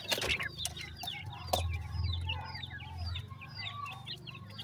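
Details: Grey francolin (dakhni teetar) chicks, offered for sale in Multan, Pakistan; a busy chorus of short, high, overlapping peeps and chirps from many chicks, over a steady low hum with a few sharp knocks near the start.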